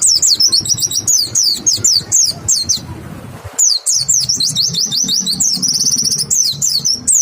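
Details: Caged white-eye singing as a lure to prompt other white-eyes to respond: a rapid run of high, clear, sharply sliding whistled notes, a short pause near the middle, then a dense burst of twittering and trilled phrases.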